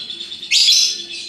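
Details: Short ngekek outburst from a colourful hooked-bill lovebird: a sudden, loud, rising, harsh buzzy chatter of about half a second over soft continuous high twittering.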